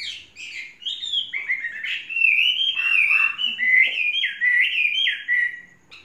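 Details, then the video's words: Song of a Chinese hwamei, a caged bird kept for three seasons and described as flawless: a long, varied stream of loud, rich whistled phrases, sliding and warbling, with occasional faint background noise. "Hoa mi hót cực hay"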